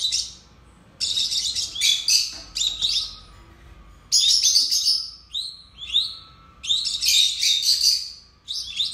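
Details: Two captive lovebirds chattering in song, dense bursts of shrill, scratchy twitters about a second long, separated by short silences, with a few clear rising squeaks between bursts.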